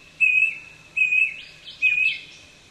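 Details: Brush cuckoo at Kobble Creek in south-east Queensland on a dull day, giving three even whistled notes in quick succession, the last slightly rising, with a soft chirping from another bird between them.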